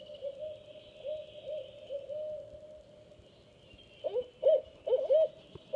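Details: Barred owl pair, a female on the nest with two-week-old owlets and a hunting male, chanting to one another. A soft, even run of low hoots gives way to louder, clipped, wavering hoots near the end.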